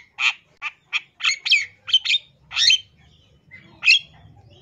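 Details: Long-tailed shrike from East Java singing a rich, varied mimicry-filled song used to lure other shrikes into singing: a run of harsh, scratchy notes and short chattering bursts, several loud squawky phrases with brief pauses between them.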